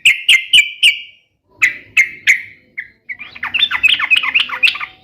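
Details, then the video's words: Sooty-headed bulbul in energetic song: four sharp chirps, then three more after a short pause, then a dense, rising and falling stream of warbled, chattering notes. "SUARA KESUKAAN TRUCUK ❗ trucukan gacor SATU INI ahlinya JADIKAN burung trucuk gacor NYAUT SEKETIKA"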